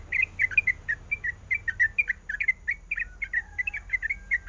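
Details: Female sooty-headed bulbul in breeding condition calling to a male: a rapid, bubbly chatter of short warbled notes, about five per second at a fairly even pitch, over a faint steady high whine and a brief lower tone near the end.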